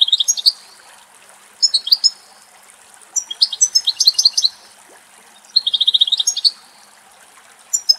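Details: Female European goldfinch feeding at a spider web in Greek countryside sings high, bright twittering phrases with rapid jingling trills, coming in lively bursts separated by short pauses.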